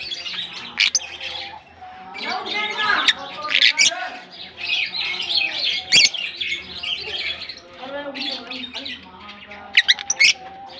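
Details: African lovebirds kept as a colony build into loud bursts of shrill, buzzy chattering and screeches, easing off briefly before flaring again; many birds call at once over faint lower tones.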